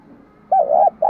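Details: Spotted dove giving a low wavering coo that dips and rises, then begins another steady coo, set against a faint hum; meant for training doves' voices.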